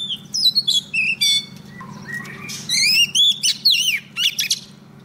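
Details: Female Oriental magpie-robin calling a male with song: rapid varied whistles and descending slurs, then a softer low-pitched passage, followed by a loud run of rising and falling whistled notes; faint steady hum behind.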